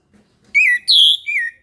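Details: A single loud phrase from an Orange-headed thrush in the morning: a falling whistle, a strong higher sustained note, and a softer descending final note.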